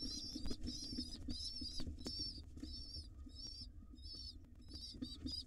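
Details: Feeding time for wild pigeon nestlings and their mother in a nest box: high, squeaky wavering peeps repeated about twice per second in short bursts, with scratchy movement sounds and low hum.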